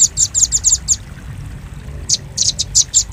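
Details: Lure sound of a velvet-fronted nuthatch for attracting birds: a quick cluster of piercing chips, about a second of quiet, then more uneven high notes.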